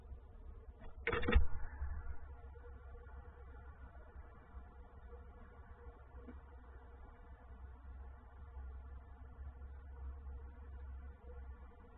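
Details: A steady low rumble, like an engine or room hum, with one sharp knock or thud just after the first second and no animal voice.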